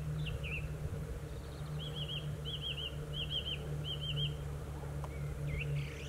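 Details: Song thrush singing: a short whistled, wavering phrase repeated four times in a row, with brief pauses between repeats and a few scattered notes at the start and end, over a steady low hum.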